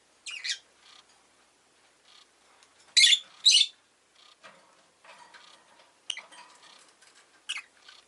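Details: Rosy-faced lovebird chirping, giving loud, harsh, high-pitched screeches, including a close pair around the third second, mixed with quieter chatter and sharp clicks.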